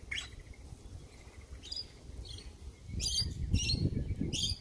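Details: Sulphur-crested cockatoo in the morning: short harsh squawks early on, then three loud grating screeches in quick succession, over low rumbling noise.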